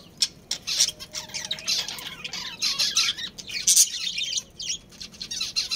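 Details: Breeding pair of budgerigars in a colony, producing lively high chirps and warbling squawks in repeated bursts of about half a second.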